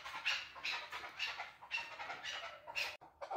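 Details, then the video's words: Male chukar partridge giving loud, raspy, broad chuck notes about twice a second, slightly uneven, with a short gap near the end. "Красивый Голос КУРОПАТКИ || Chukar Partridge Male CALL || KEKLIK SESI"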